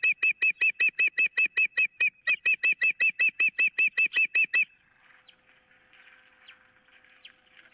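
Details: Osprey on a nest camera, 15 April 2023, calling while one bird holds a fish on a pole, another wants it, and an intruder is nearby: a fast run of about eighteen sharp whistled cheeps, evenly spaced, then quiet background birds.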